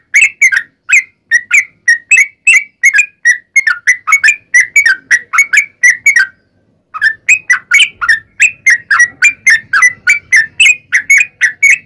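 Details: Vigorous long rapid song of a Yellow-vented bulbul used to provoke other bulbuls into replying; fast string of short whistled notes, a clear silence around six seconds, then the chatter resumes with faint low rumble behind.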